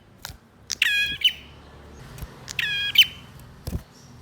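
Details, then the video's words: Male bar-winged prinia singing, meant to stir birds that have fallen silent. Two harsh buzzy strophes, each ending in a sharp flick, with scattered clicks and knocks in between. "Prenjak Jantan Gacor Dor Full Emosi ‼️ 100% Ampuh Dongkrak Emosi Burung Macet Bunyi"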